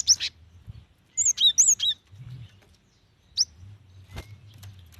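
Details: Cinereous tit female calling to a male, used to coax wild or young birds into song: a sharp opening chirp, then a fast run of high, looping, whistled notes, and one last lone chirp.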